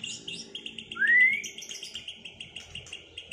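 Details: White-rumped shama out of moult, in a duel to restore its form; one loud rising whistle over a steady fast-repeated high chattering trill.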